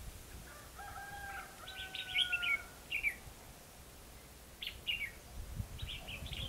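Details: Red-whiskered bulbul used as a lure bird during trapping at Hòa Mạc, Hà Nam, Vietnam, singing competitively: bright, short warbled chirps in quick clusters around two and five seconds, over long, steady, lower whistled tones and a faint low rumble.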